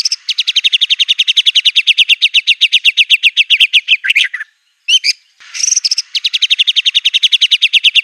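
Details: Aggressive singing from a white-rumped shama using canary, cililin, cungkok and lovebird imitations: a long, steady, very fast rattling trill of buzzy notes, a short break with a few whistles, then the trill resumes.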